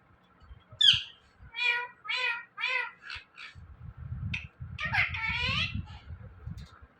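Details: Indian ringneck parrot mimicking words, "Mithu" and "meow": a sharp squeak, then a rhythmic run of about five short nasal syllables, and finally a longer wavering phrase over low rumbling.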